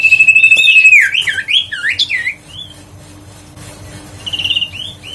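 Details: Huyt co bird, a lure recording meant to make quiet birds sing: a sustained high whistle breaking into rapid twisting slurred notes, a pause, then a short buzzy trill and a final whistle.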